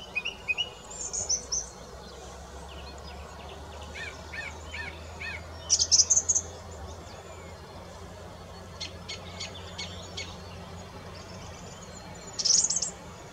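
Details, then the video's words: A song thrush delivers a fast three-note motif repeated several times, followed by sparser high trills and thin notes over steady low rumble. "Songtrush / Song - Singdrossel / Gesang"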